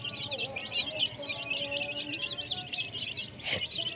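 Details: Baby chicks chirping: a flock's high, wavering peeps run almost without pause, over a low background rumble and one short bang near the end.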